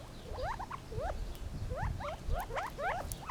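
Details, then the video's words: Gambel's quail uttering quick, squeaky upslurred notes, often in pairs or small clusters, roughly two per second, with low rumbling background noise. "Funny Sounds of the Gambels Quail"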